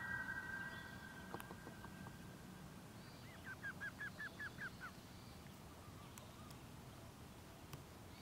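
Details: Common loon pair in the wild on a pond, warning a rogue loon that has flown into their territory while their chick waits near a kayak; a long tonal note, then a rapid run of about seven quavering notes, over steady low background noise.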